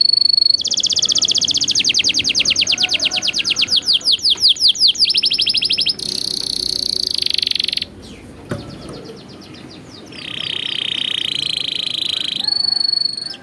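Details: Canary song used to train young birds: a fast series of sweeping notes slowing gradually, a dense buzzy roll, a brief quiet gap, then a steady high trill and a final higher note.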